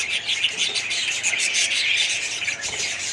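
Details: Budgerigar colony in full chatter, rapid high chirps and squeaky warbles overlapping densely across the whole stretch.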